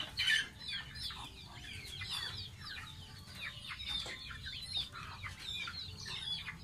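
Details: Bath time for a baby pet domestic goose: loud sharp chirps open, then a stream of high, quick peeps and down-slurred whistles continues, with light background noise.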